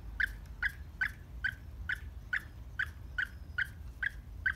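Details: A happy pet cockatiel in the morning gives short, bright chirping calls in a steady series, about eleven notes roughly every 0.4 seconds, each sharp and harmonic-rich, over a low background rumble.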